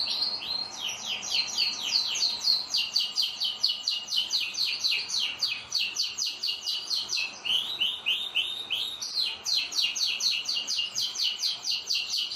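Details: Kept pet canaries sing a long, loud, rapid trilled song, with fast repeated syllables about four per second and brief pauses, sustained without stopping.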